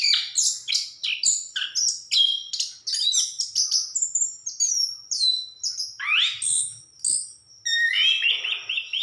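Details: Orange-headed thrush in full song, a rapid run of sharp high whistled notes, sweeping slurs and chattering phrases with brief pauses, fairly clean background.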